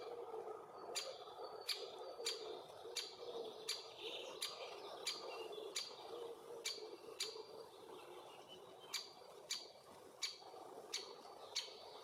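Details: Great spotted woodpecker, a young male and its mother at a nest hole with bees, Puszcza Bydgoska near Bydgoszcz, summer 2023, filmed on Lumix FZ82; around sixteen loud, sharp 'kik' notes at uneven intervals over a soft buzzing hum.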